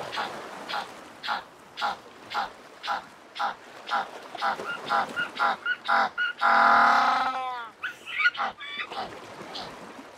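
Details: African penguin, also called jackass or Cape penguin, giving its donkey-like bray: a run of short harsh honks about every half second building to a long drawn-out braying note, then more broken honks, with other calls faintly behind.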